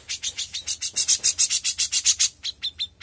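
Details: Young grey-cheeked bulbul singing: a fast run of harsh, buzzy high notes, about two or three per second, with a few clearer whistled tones around the middle and a softer ending.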